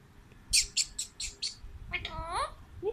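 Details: A pet talking Alexandrine parakeet gives five quick, harsh, rasping syllables, then a rising, voice-like warble that sounds like mimicked speech.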